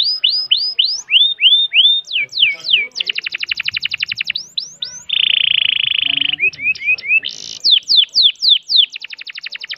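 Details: A canary sings a long-breath song. It starts with a series of rising whistles, moves into a fast trill, then holds a flat buzzy note for over a second, and ends with chirps and downswept slurs.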